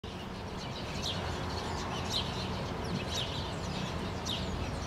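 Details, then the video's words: Several house sparrows vocalizing in a rose bush on an August 2013 morning in Helsinki, Finland; a few short, sharp chirps spaced irregularly over a steady low rumble of background noise. "House Sparrows in the rose bush in the morning, vocalizing"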